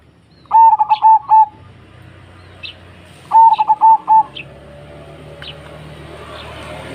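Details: Zebra dove giving two phrases of staccato, clipped cooing notes, each phrase a rapid stutter of four to five even beats, followed by softer high chips from other birds.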